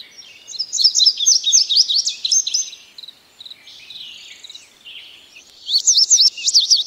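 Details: Indigo bunting delivering two bursts of brisk, high, up-and-down chirping notes a few seconds apart, with quieter twittering in the pause between them.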